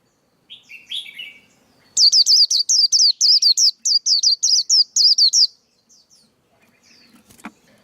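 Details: Male white-eye singing, a recording meant for coaching young birds and luring white-eyes into traps: a few soft twitters, then a steady run of about fourteen shrill, bouncing whistled notes, followed by faint clicks.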